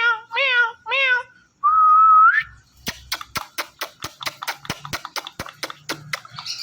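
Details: Pet ringneck parrot: three nasal, wavering speech-like syllables, a rising whistle, then a long series of quick sharp taps.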